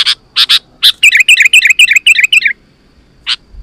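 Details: Sooty-headed bulbul in full vigorous song, used to call wild bulbuls: a series of loud sharp chirps, then a fast run of short rising and falling bubbly notes for about a second and a half, then a pause and one final chirp.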